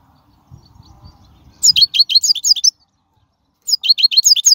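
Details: European goldfinch singing in the wild, recorded to train young birds: after a faint low murmur, two bursts of quick, high chirping notes repeated in a lively rhythm.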